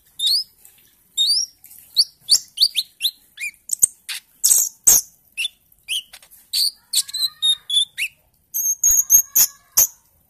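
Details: Lure song of a Bali myna, recorded to get birds singing, early 'ijoan trotol' style: a dense, busy run of high chirps, rising whistled slurs and ticking notes over about ten seconds.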